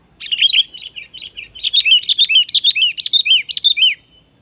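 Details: Calling to challenge and press a rival, a sooty-headed bulbul opens with a sharp note, then a quieter twittering stretch, building into a loud, rapid chain of bouncy, down-slurred chirps lasting about four seconds.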